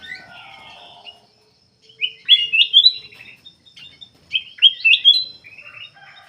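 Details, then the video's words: Black-capped bulbul in energetic song, a recording used to lure other birds; a soft rattling start, then two loud bursts of quick, rising, liquid whistled notes about two seconds apart. "KUTILANG EMAS \ CUCAK EMAS GACOR FULL GACOR sangat bagus buat pancingan \ pikat"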